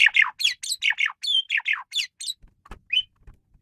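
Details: Asian pied starling chattering song used as a tutor recording for songbird training: a rapid run of about a dozen harsh, squeaky phrases, then scattered clicks and a short rising whistle at the end.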